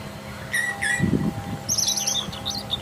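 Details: Brown Thrasher in the wild in full song: two matching slurred notes in quick succession, then a rapid string of thin, high twittering phrases over a faint low rumble.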